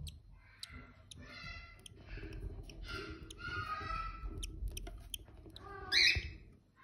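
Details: Cockatiel; begging call; chick begging for food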